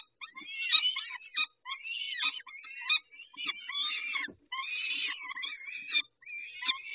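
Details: A feeding session of peregrine falcons at Dobra on 19-05-21 at 11:48. Repeated hoarse, scratchy wails last about a second each, broken by short silent gaps.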